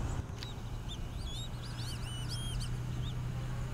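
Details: Several Black-bellied Whistling Ducks, adults with juveniles, give thin, high, arching whistles that overlap in a quick chatter at Twin Lakes, Diamondhead, Mississippi, in 2017, over a steady low hum of wind or a distant engine.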